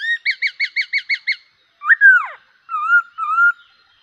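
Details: Bulbul, a black-cheeked bird singing well: a quick run of seven short, bright chirped notes, then a loud slurred whistle sweeping downward, then two wavering, level whistles, clean with no other sounds.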